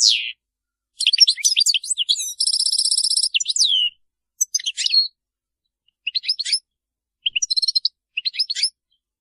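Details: A European goldfinch sings a fault-free song of bright, tinkling twitters and quick liquid trills, with one buzzy, nasal rattle, in bursts separated by short pauses against a quiet background.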